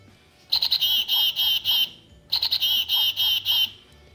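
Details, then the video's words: A Black-capped Chickadee gives two chick-a-dee calls: a few short, high notes, then a string of buzzy, harsher dee notes, repeated after a brief pause. "a chickadee says its name chickadee"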